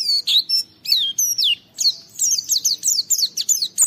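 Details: Energetic Oriental white-eye song meant to challenge rivals and set other white-eyes singing: high, sweet downslurred chirps in irregular bursts that quicken into a rapid twittering series near the end.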